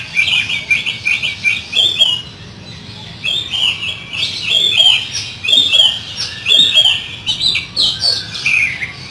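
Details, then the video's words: Kacer (oriental magpie-robin) in loud rough fill-in song (isian kasar) for training: strong rhythmic phrases of warbled whistles and chattering notes, pulsing in regular bursts with brief pauses. "SUARA BURUNG KACER ISIAN KASAR"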